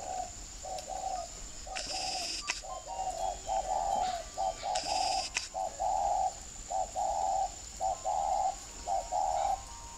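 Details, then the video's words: Spotted dove used as a lure bird (mồi cành) with the 'còi' voice type; mellow, hollow coos in short grouped phrases, repeated steadily for about ten seconds, with brief rustling and clicking noises in between. "Còi cu gáy mồi đánh cây"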